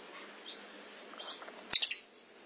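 A songbird gives thin, high chirps, then a sudden loud burst of sharp, rapid notes near the end, with quiet background hiss.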